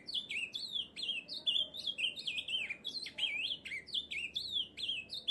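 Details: Ultramarine Grosbeak song, one of a set of Brazilian birdsongs: rapid high chirpy notes, each a quick down-slurred or wavering whistle, strung together almost without pause for over five seconds over a faint low background hiss.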